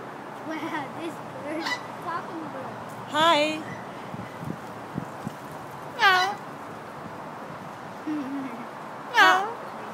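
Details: Parrot at a wildlife exhibit greeting visitors, uttering short hoarse voice-like calls and a few loud harsh squawks spaced several seconds apart, with people talking softly nearby.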